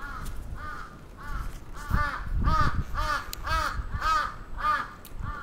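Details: Crow attacking, recorded 27 June 2017 in Atsubetsu Ward, Sapporo, Japan: harsh arched caws repeated rapidly, about two per second, some overlapping as if from more than one bird, with low rumbling handling noise underneath.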